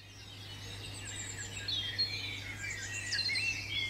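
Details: European robin singing in a British garden in the UK: thin, high, sweet warbling phrases that rise and fall continuously, with quick twittering trills and a steady low hum beneath.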